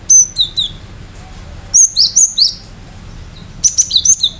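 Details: Cinereous tit in full, loud song, played so that other birds hearing it respond and sing: bursts of three to four sharp, high, two-part whistled notes, separated by short pauses, over low background rumble.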